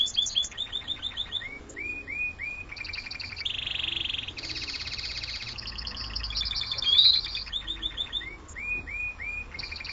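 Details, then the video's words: Clásico-style song of a Spanish Timbrado canary: a changing series of rapid metallic trills and rolls alternating with repeated falling whistled notes, with loudness rising and falling across the phrase. "clasico timbrado Español"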